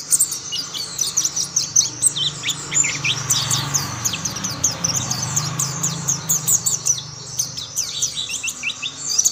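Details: Mountain white-eyes singing together as more join in: a thick chorus of thin, high twitters and downward-slurred chirps, with a low hum in the background.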